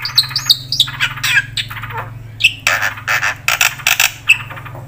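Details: Javan pied starling singing a full, varied song meant to draw replies and tutor other birds: harsh squawks, sharp whistles and dense chattering bursts, over a constant low hum.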